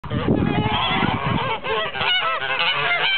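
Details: Blue and grey Toulouse geese, a domestic goose breed, calling together in a flock; harsh nasal honks overlap and repeat, with a low rumbling background of other birds and movement.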